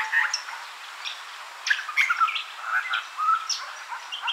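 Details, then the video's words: Garden-dwelling juvenile Grey Butcherbird answering territorial calls while at a drinking fountain: short melodious whistled notes at varying pitches, loosely spaced over a few seconds, mixed with brief higher chirps. "Grey Butcherbird’s melodious calls"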